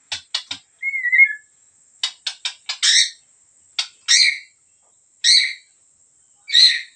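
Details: Medan white-rumped shama, gacor: a few sharp dry clicks and one short falling whistle, followed by harsh, broad chack notes spaced about a second apart.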